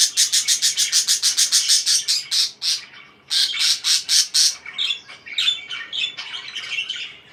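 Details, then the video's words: Parakeet chirping: rapid runs of sharp, evenly repeated chirps, three or four a second, then softer warbled chatter. "BEAUTIFUL CHIRPING NOISES (4K WATCH HOUR)"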